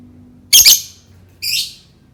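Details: Lovebird sound used to prompt other lovebirds into singing: a loud harsh double squawk, then a raspy buzzing chirp a second later, indoors.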